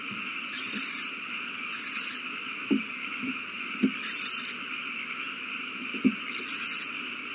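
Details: Owl chicks eating a big meal on 27 March 2020: four harsh, hissing bursts of about half a second each, roughly every second or two, over a steady electrical hum, with soft low knocks between.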